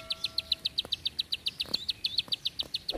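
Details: Bar-winged prinia singing in the 'tembakan panjang rapet' style of long, tight bursts: a steady run of sharp, high clicking notes, about six every second, lasting the full three seconds, with faint low background noise.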